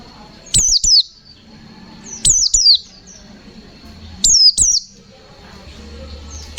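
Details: Gacor white-eye (pleci) song in 'ngalas nembak' style: paired, very high, steeply falling whistled notes repeated in four short bursts, with near silence and a faint low rumble between.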